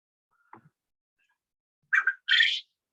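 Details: Male Japanese quail (Coturnix japonica) crowing, a call that marks males in Texas A&M, jumbo and pharaoh strains: two quick sharp notes then a louder harsh buzzy burst, with a faint click before, in a quiet room.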